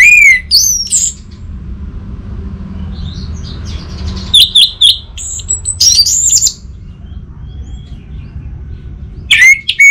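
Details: Orange-headed thrush, a cage bird from northern Bali, Indonesia, delivering scattered loud whistled and rising notes with quiet soft warbling in between, ending on a strong clear whistle.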